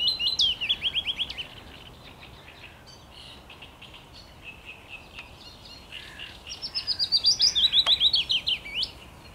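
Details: Willow warbler singing on 17 May 2021: two phrases of clear, rapidly repeated whistled notes that trickle downward in pitch, about six seconds apart, with soft twittering and a few faint clicks between them.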